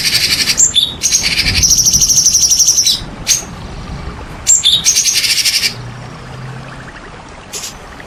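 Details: White-rumped shama song used as a lure to provoke silent shamas into singing: dense high buzzy rattles and trills in bursts, one steady sustained rattle, pauses between phrases, faint low hum beneath.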